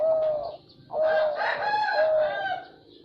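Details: Zebra dove singing: loud purring coos repeated about every second, one merging into a rougher, busier phrase in the middle.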